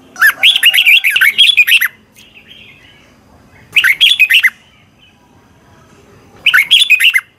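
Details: Red-whiskered bulbul from Thailand delivering rapid training song: three lively bursts of tumbling, warbled whistles, the first nearly two seconds long, separated by quiet gaps with faint background chirps.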